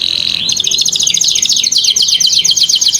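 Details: Singing canary, a recording meant to coax young canaries into song: a steady high tone slides upward into a rapid, evenly pulsed trill of bright chipping notes that keeps going for over two seconds.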